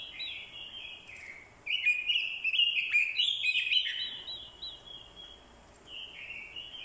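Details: Decoy orange-headed thrush in vigorous fighting song, with a female's call used to provoke it. Dense, fast warbling with bright whistles and scratchy trills runs for several seconds, then softer notes follow.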